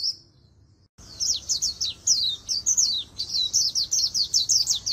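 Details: Oriental white-eye being trained for fast competition twittering in a chòe-like voice style: after a brief silence, rapid high, sharp twittering notes in quick bursts, tumbling and repeating almost twice per second without pause.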